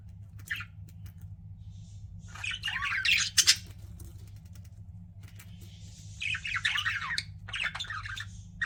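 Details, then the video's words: Several pet budgies breaking into bursts of rapid scratchy chirping and warbled squawks between quieter spells, over a low continuous hum. "CUTE PET BUDGIES CHIRPING"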